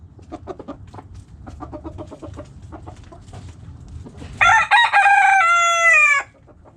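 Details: Backyard chickens: hens cluck in quick repeated bursts, then a rooster crows loudly, a rich harmonic call of about two seconds with a falling end.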